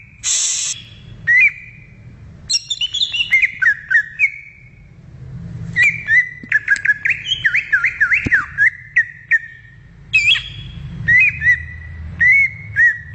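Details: Greater green leafbird singing in the wild: a harsh burst, then long sequences of zigzagging whistled notes, quick and repeated, with pauses between phrases; low background rumble.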